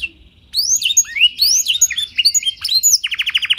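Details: Clear canary song with blackthroat phrases, played to lure and train other canaries: after a short pause come looping whistled glides and high chirps, ending in a rapid trill of repeated notes.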